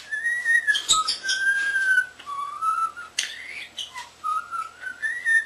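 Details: Indoor pet common starling, young, whistling a human tune: long clear sustained notes that step down and back up in a simple melody, broken by one sharp click-like burst.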